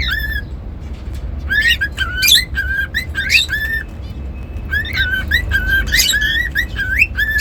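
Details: Whistling song of a pet cockatiel, clear notes that hold steady or slide upward, bunched in quick runs with brief raspy chirps between them, over a constant low hum in a small room.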